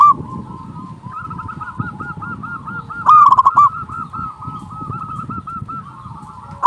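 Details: Local zebra dove luring call, used to draw in doves and spur quiet birds: a long run of soft cooing from several doves, broken by one loud burst of fast, throaty coos midway.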